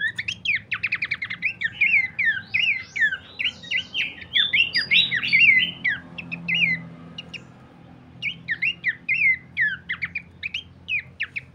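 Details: Horsfield's Babbler, a lure and master recording for training cage birds: fast bursts of clipped, swooping whistles and harsh notes, crowded at first, breaking off near the eighth second, then resuming in short spaced phrases over a faint hum.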